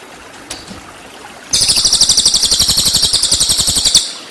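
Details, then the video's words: Cililin trill meant to tutor white-rumped shama: after a couple of faint clicks, a loud run of rapid, high, metallic pulsed notes lasting about two and a half seconds. "MASTERAN CILILIN FULL TEMBAKAN"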